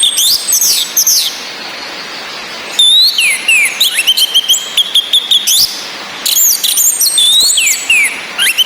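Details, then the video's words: Ngecis calls of a female orange-headed thrush, mixed with rain and a male's easy song, for lifting breeding drive: two bursts of quick downslurred whistles and repeated clipped notes, separated by a pause of rain hiss. "ANIS MERAH BETINA NGECIS‼️ COCOK UNTUK NAIKAN BIRAHI BURUNG YANG MENTOK DI NGRIWIK SAJA"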